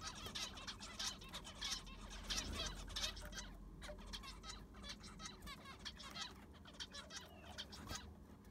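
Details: Zebra finches in an aviary after cleaning and fresh sand replacement: dense chorus of short nasal, harmonic beeping calls overlapping rapidly, with low rumbling background noise.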